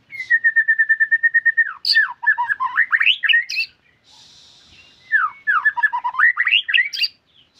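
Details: A white-rumped shama in full, vigorous song opens with a steady run of about a dozen evenly repeated whistled notes. Tumbling, varied phrases of rising and falling whistles follow, then a short pause and another rich, jumbled phrase.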